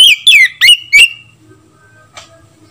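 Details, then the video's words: Oriental magpie-robin lure call, used to make other magpie-robins sing and become agitated: four loud, quick whistled notes sliding downward, packed into one second, followed by near silence with a faint brief rasp. "SUARA PANGGILAN KACER"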